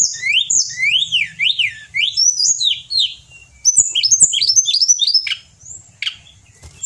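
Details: Pied bushchat, a mountain bird kept as a singing bird in Indonesia, in full song: rapid varied whistled phrases, rising and falling sweeps and sharp chirps, closely strung together with short pauses.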